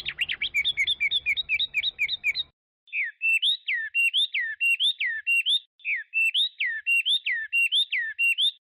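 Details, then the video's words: Song of a Chinese hwamei: a quick burst of looping whistles, a short pause, then rich slurred notes dipping and rising, delivered in steady rhythmic groups. "نصف ساعه من تغريد طائر الخوامي Chinese Hwamei"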